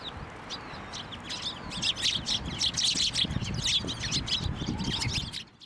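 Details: A sparrow flock feeding from a hand at a Tenmangu shrine, 18 March 2024, giving a swelling chorus of rapid high chirps, close together and overlapping, fading out at the very end over low rustling.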